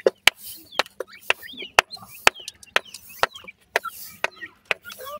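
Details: Young grey francolin chicks chirp in short, high, curling notes between sharp loud knocking clicks that repeat roughly twice a second, like pecking on a hard surface.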